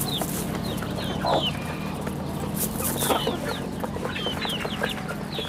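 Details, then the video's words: Rural farm chicks giving clear high peeps that slide downward, spaced through the clip, with a few noisy bursts and a low steady hum. "Good chicks sounds in the farm"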